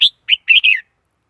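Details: Red-whiskered bulbul lure call for catching wild birds, free of background noise; one bright high chirp, a short rising note, then a longer liquid descending warble.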